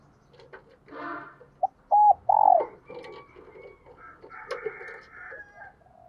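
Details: ["Decoy spotted dove in a 'thúc sung' cooing bout. A short note is followed by two loud, hollow coos, the second drawn out and falling. Background clatter and higher chirps from other birds run throughout."]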